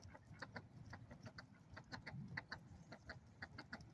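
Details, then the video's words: Ducks at a lake calling loudly, a fast run of short, harsh, clucking notes coming several per second with little pause, over a steady low rumble of background noise. "Ducks at the lake making loud noise."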